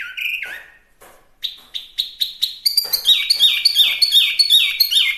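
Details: Chinese hwamei, called wambi mini locally, singing a loud varied song: long slurred whistles, then a quickening series of sharp repeated notes, about three per second, rich and ringing.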